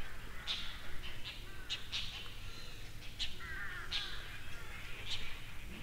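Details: Dollarbird in Kangwon-do, South Korea, giving short, harsh, rasping notes at irregular intervals about a second apart, over a steady low rumble of background noise.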